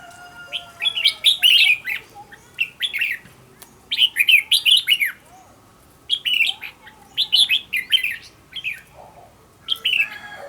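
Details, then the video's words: Practice song of a decoy red-whiskered bulbul for contest singing, a string of quick chirpy warbled phrases in clusters of three or four notes, coming in repeated bursts with short quiet breaks between. "Cách luyện chào mào mồi - Hót hay nhanh lửa, Căng"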